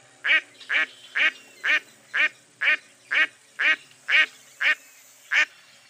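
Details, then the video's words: Eleven rasping quacks from a mottled duck, delivered in a regular rhythm of about two per second, each short and loud over a quiet background. "Mottled Duck Call"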